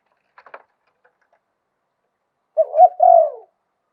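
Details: Spotted dove giving a single luk tan style phrase with a wild voice: soft rustly clicks, then a short note, a rising coo and a long, slightly wavering croon that slides downward.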